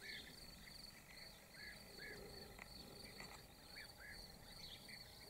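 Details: European bee-eater (Merops apiaster) recorded in Slovakia on 19 May 2019: short rolling, slightly arched calls come every second or so, set against a steady high insect buzz throughout.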